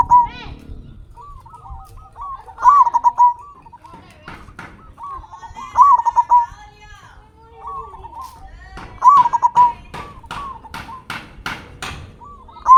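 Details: Local zebra dove with a big voice, used as a singing lure: four rolling, gurgling coo phrases, quieter trilled notes between them, and sharp clicking or tapping bursts in the background.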